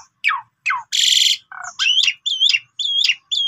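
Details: Pied myna song used as a lure for other birds: falling whistles, a loud harsh buzz, a low nasal note, then four repeated looping chirping phrases.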